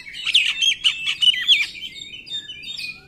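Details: Oriental magpie-robin in 'nembak' mode, a lure for magpie-robins reluctant to sing: dense, fast chattering warble with sharp notes packed together, fading into softer high thin whistles.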